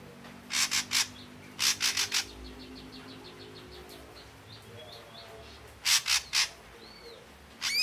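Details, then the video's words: Ashy drongo, red-eyed form, giving harsh, scratchy notes in quick bursts of three or four, separated by short pauses, with faint thin whistles and a brief rising note between. "Suara asli burung srigunting kelabu mata merah"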